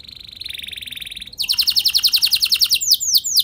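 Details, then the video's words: Canary lure song meant to set other canaries singing: a soft rapid trill at first, then a loud burst of quick descending whistled notes followed by curved upswept phrases. "Pancingan Ampuh Buat Kenari Kondisi Apapun! Bakal Langsung Nyaut Ikut GACOR Panjang"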